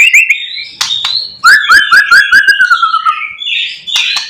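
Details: Lure song of a white-rumped shama in the morning, full of imitated phrases: quick upslurred whistles, then a fast series of rising notes sliding lower, ending in a hoarse buzzy phrase.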